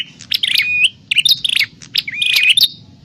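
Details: Prinia, locally prenjak klawu, calling as a lure for trapping: quick clusters of sharp high chirps mixed with short level whistles, in three bursts.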